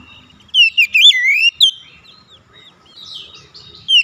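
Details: Oriental magpie-robin singing, meant to provoke hard-to-start birds into full song: a second-long run of loud, swooping whistled notes, a short clipped phrase, then soft high twittering and one final bright note.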